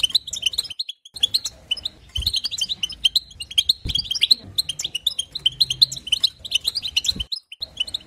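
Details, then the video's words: Singing European goldfinch from 2022, its song meant to rouse other goldfinches. Phrases of rapid, bright, jangling twitters and chirps repeat with short breaks, over a low steady hum. "بتبتات حسون جديده للتهيج نار"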